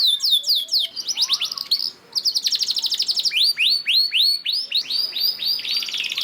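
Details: Canary performing a lure song meant to get other canaries singing: quick descending chips, a brief pause, a fast rattling trill, then repeated arched whistles rising in pitch.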